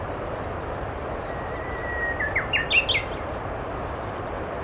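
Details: Japanese bush warbler on the Tama River, 16 March 2024, gives a long, steady whistled note, then a quick run of higher, jumping notes, with a constant low rumble of traffic or wind underneath.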